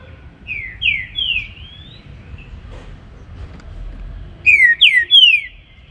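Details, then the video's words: Green-winged saltator (trinca-ferro) in morning baruc song: a softer run of descending whistles first, a pause, then a loud phrase of three clear, downslurred whistled notes. "TRINCA FERRO BARUC CANTANDO PELA MANHA"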